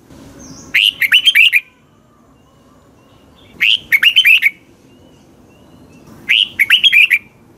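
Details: Red-whiskered bulbul singing in the morning as a training lure for other birds: three short bursts of rich, bubbling whistled notes about 2.5 seconds apart, each phrase of five or six quick warbling syllables, with a faint soft hum behind.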